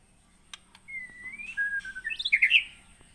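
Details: White-rumped shama held in captivity in Aceh, Indonesia, originally taken in 2017 from Aih Ilang (Sungai Merah), Pining: thin drawn-out whistles slurring slightly, building into a quick warbled flourish, with low background rumble and a faint high whine.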